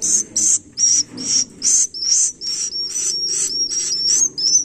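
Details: Harsh, high hissing bursts alternate with thin, slurred whistles from young swiftlets, repeating about twice a second at a fairly even pace, over a faint low murmur.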